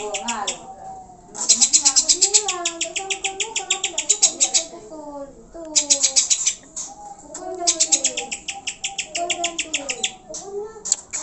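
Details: Lure recording of greater green leafbird song meant to spur caged birds into full song: bursts of rapid, high, clicking-bright repeated notes alternate with lower, sliding, warbled whistles that rise and fall between bursts.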